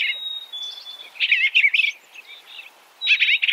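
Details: Eastern bluebird singing soft, warbled phrases of short rising and falling notes, grouped in bursts about a second long, with a long thin steady whistle from another bird before and after.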